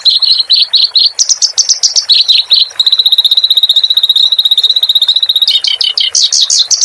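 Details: Clamorous reed warbler singing, recorded for tutoring caged songbirds. Varied chirping phrases lead into a long, even, rapid trill of identical high notes, then more jumbled, rising and falling notes.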